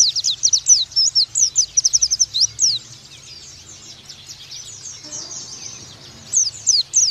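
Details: 'Nembak' song of an oriental white-eye used to train young birds: a quick burst of shrill, high twittering chirps, a softer murmuring pause, then a few more sharp notes.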